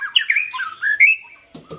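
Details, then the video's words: Long-tailed white-rumped shama singing a short run of clear whistled phrases that slide between high and mid pitch, followed by a brief low rustling scrape. "MB Belorok ekor panjang"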